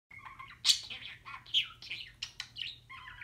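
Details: A blue pet talking budgerigar says "Hey, there's a bird," chattering in fast, scratchy, high-pitched bursts that run word-like syllables together with chirps and warbles.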